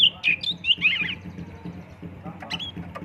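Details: Oriental magpie-robin (kacer) lure song in 'fulisian tembakan' style: a quick burst of sharp whistled and twittering notes in the first second, then fainter scattered chirps over a steady low electrical hum.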